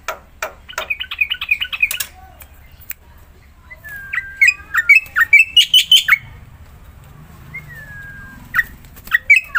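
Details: Black-winged myna (Javan white starling) singing as a lure to prompt silent mynas into song: a mix of clear whistled slurs and a burst of harsh, chattering notes, with scattered clicks between phrases.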